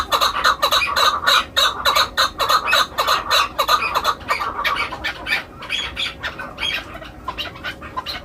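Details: Chukar used for hunting gives loud, repeated clucking chuk notes that weaken and thin out after about five seconds into softer, higher squawks.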